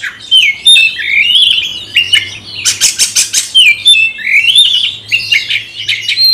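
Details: Oriental magpie-robin song provoked by a rival in a fight-style challenge: fast, loud rising whistles and harsh rasping notes, with a burst of rapid buzzy chatter in the middle; a low hum beneath.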